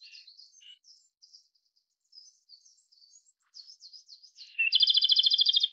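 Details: Other birds twitter softly and intermittently before a Japanese robin bursts into a loud, rapid, even trill of high repeated notes at the end.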